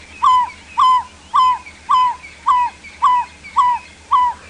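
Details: An African barred owlet calling about 100–200 m away in the Sabi Sand near Kruger, South Africa, on a July 2017 sunrise drive: steady series of clear, slightly falling whistled notes, about two per second, faint background hum.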